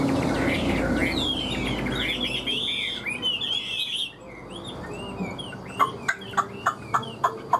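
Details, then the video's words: Caged Hwamei, praised as an excellent singer and good fighter, pours out rich, varied whistled phrases with rising and falling slurs, then breaks into a run of sharp, evenly spaced clicking notes. "Họa mi vip đuôi lá vả cứng, hót cực tốt đấu tốt"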